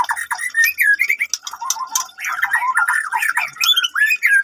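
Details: Captive-bred F1 white-rumped shama of the Medan line, raised on a bird farm: loud, continuous varied warbling of quick rising and falling whistles, trills and harsh notes with no pause.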